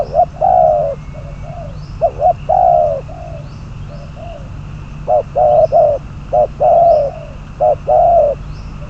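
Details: Trapping decoy, a spotted dove numbered 22, repeating its cooing phrase several times: quick clipped coos, then a longer, louder drawn coo, separated by brief pauses, with faint high chirps behind.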